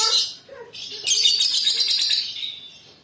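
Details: Lovebird singing: a brief low chirp, then a dense, buzzy, high-pitched chatter that runs steadily for about two seconds before fading.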